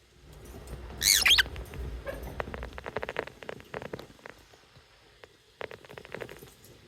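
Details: A lovebird gives a loud shrill, falling screech, followed by a long series of soft rapid clicks and ticking patter, then a few more faint ticks.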